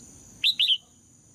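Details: Female red-whiskered bulbul singing to stir males into song: a short, loud three-note phrase of bright whistled notes, the last slightly drawn out and falling, over a steady thin high tone and faint low rumble.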